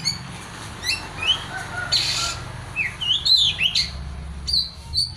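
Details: Oriental magpie-robin giving scattered short upslurred whistles and chips, with a brief noisy burst and low hum in the background.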